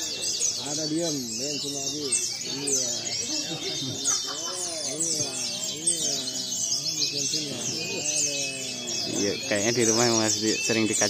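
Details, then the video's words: Mixed white-eye singing contest: a continuous high, rapid twittering from many birds, with a man's speaking voice and other lower warbled notes running beneath it. The sound grows louder near the end. "lomba pleci campuran"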